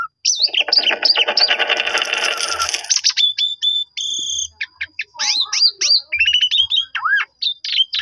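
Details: Black-collared starling lure song used to provoke other starlings: a dense, noisy chattering jumble for three seconds gives way to varied clear whistles, hooked chirps and a deep dipping note.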